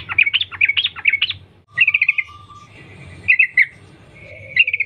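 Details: Wild sooty-headed bulbul lure song, 'sambung ropel' style: fast chirping bursts, then short trilled clusters separated by pauses, with a steady tone and a low hum in the background.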